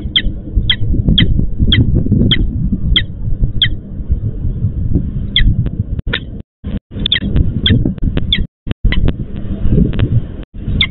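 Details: A peregrine falcon female in Łódź, Poland, at the EC4 nest site, calls to her absent mate at a nest change. A steady series of short, rasping notes runs about two per second over deep industrial rumble, broken by brief dropouts.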